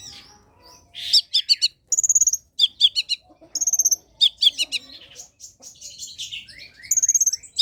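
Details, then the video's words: Long-tailed shrike in full varied song, used as a lure and tutor for shrikes that sing little: quick chattering bursts, high whistled notes and buzzy trills alternating in short phrases. "cendet pastol gacorr || sangat cocok buat pancingan dan masteran cendet malas bunyi"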